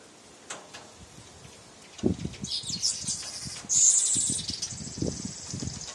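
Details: Male weaver attacking his reflection in a mirror, as he does every morning; high buzzy sizzling chatter in two bursts, the second louder and longer, with tapping and rustling thumps below.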